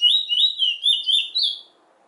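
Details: Trinidad bullfinch (chestnut-bellied seed finch) delivering a short burst of clear whistled slurs, each note sliding downward, six or so in quick succession before falling silent.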